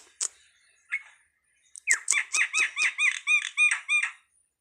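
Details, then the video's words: Starling giving two sharp chips, then a fast steady series of about ten loud, ringing, slurred notes repeated several times a second. "suwara //burung jalak//"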